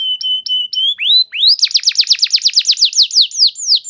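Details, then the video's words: Canary lure song meant to prompt other canaries to sing: a few clipped flat whistles, two rising slurs, then a rapid train of bright down-slurred notes. "Terapi Burung Kenari Cepat Bunyi Gacor Dengan Suara Pancingan Kenari Gacor Nembak Panjang Ini"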